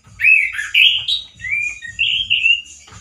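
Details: Male orange-headed thrush, a caged songbird said to sing loud and harsh like in the wild, giving a run of high whistled phrases, some slurred and some rising, with short gaps between them and soft low knocking underneath.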